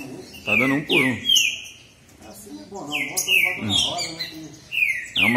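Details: Two green-winged saltator males compete in song, bitola style: rich descending whistles alternate with men's voices, the bird's phrases returning after each burst of speech.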